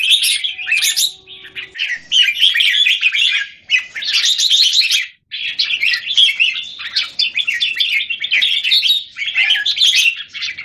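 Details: Red-whiskered bulbuls in cages, Singapore, 17 January 2019, one confronting several others; long runs of rich, rapid warbles and chirps with brief pauses, nearly continuous throughout.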